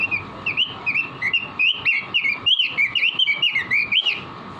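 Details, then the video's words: Vigorous song of a caged robin, made to train other caged birds: a fast continuous run of clear, looping whistled notes, each rising and dipping, delivered rhythmically for nearly five seconds over a soft background hum. "Masteran burung robin gacor"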